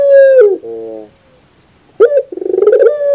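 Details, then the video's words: Barbary dove cooing in a bird-training recording: a long steady coo that dips at the end into a lower, softer tail, a pause, then a rapid rolling throaty burst that runs into another sustained coo. "Masteran terbaik Burung Puter 2021"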